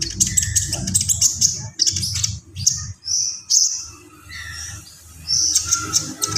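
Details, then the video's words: Konin, the Javan pied starling, singing 'gacor full isian': bursts of high rattling chatter, a few clear mid-pitched whistles, and piercing squeaks, set against a low background rumble. "SUARA KONIN GACOR FULL ISIAN"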